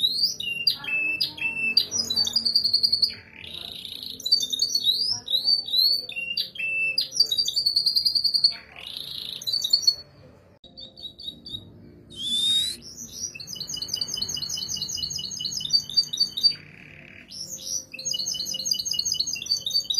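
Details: A canary sings long, rapid runs of bright trills, rolls and sharp whistled notes, a lure recording meant to get other canaries singing.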